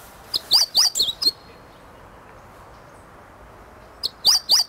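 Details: Meadow bunting learning to sing, relaxed at close range, 8 March 2011, moving from calls to full song: two quick runs of four or five bright, high, slurred chirps, separated by about three seconds of quiet.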